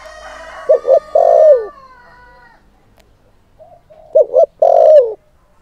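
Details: Lure spotted dove calling to provoke wild males: a double coo and long sliding coo over a faint whistled tone, a quiet pause, then the same double coo and long downward coo repeated.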